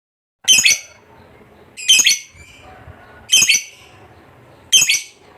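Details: Lovebird kept as a contest fighter bird, giving four harsh, buzzy squawks spaced about one and a half seconds apart, each a brief burst with rich overtones.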